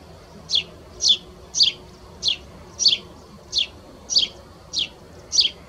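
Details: A sparrow at S'Albufera, assumed to be a Spanish sparrow because it sounded like a Tree Sparrow, gives nine bright, slightly downslurred chirps about every half second against a quiet background.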